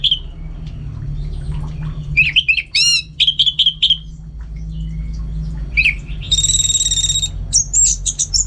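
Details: Orange-headed thrush kept at home in Singaraja, North Bali, singing in full voice during training for contests: varied whistled phrases, sharp rising notes and a buzzy ringing trill near the end, with a steady low hum behind.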